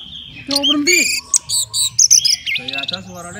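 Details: Orange-headed thrush at a songbird contest, prepared for hanging, singing a rapid, varied run of bright whistles, chirps and buzzy notes, shifting pitch phrase by phrase with brief pauses between.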